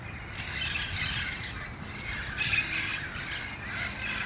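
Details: Harsh squawking from a flock of wild red-crowned parrots at El Cajon, gathering at dusk before going to roost in August; the grating calls overlap steadily, with louder bursts near the middle.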